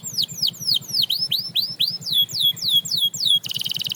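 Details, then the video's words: Singing canary inspiring other canaries to resume song: a sequence of loud high whistles sweeping downward, each repeated roughly four times a second, ending in a sudden dense buzzy trill. "Watch How This Canary Inspires Others to Sing Again!"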